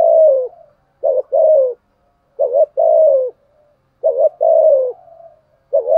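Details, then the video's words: A caged spotted dove used to lure wild males gives deep, falling coos in pairs roughly every one and a half seconds, each pair opening with a short clipped note; quiet surroundings. "chim cu mồi thúc gù bài bản nhất hiện nay, chim cu gáy kích bổi hiệu quả nhất hiện nay"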